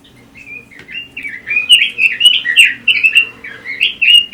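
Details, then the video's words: Pekin robin (red-billed leiothrix) singing for songbird tutoring and contest practice: soft opening notes build into a fast, continuous chain of sweet, wavering warbles that grow louder toward the end, over a faint low hum. "Kicau Burung ROBIN"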